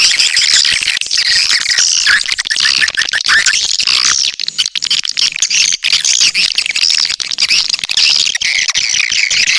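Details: Swiftlet lure call: dense, continuous high twittering and chirping, rapid overlapping squeaky notes with brief rising sweeps, sustained throughout with short gaps, no other clear sounds.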